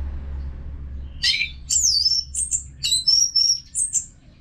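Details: Orange-headed thrush in full nonstop song, played to coach caged birds: rapid high whistles, sweeping slurs and a sustained thin whistled note, delivered in quick succession after a short quiet start.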